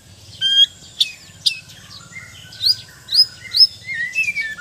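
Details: White-rumped shama (murai batu), Sabah/Borneo type, a kept bird in mental training, singing a varied run of loud high whistles and sharp chirps, some rising and sliding, with a low steady hum underneath.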